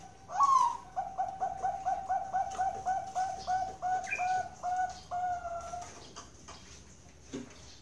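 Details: Bangkok zebra dove kept on a Central Java farm in Kroya, Cilacap: a rising opening note leads into a rapid run of crisp cooing notes that gradually slow and lengthen before ending, over light background noise.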